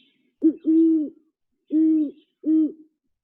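Great horned owl giving deep, soft hoots: a quick short note, then three longer, even hoo notes spaced about half a second apart.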